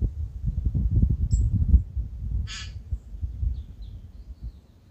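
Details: Tūī in Manawatū, New Zealand, calling before sunrise: a short high whistle, then a single harsh rasping burst with layered tones. Loud low rumbling and knocking noise fills the first half.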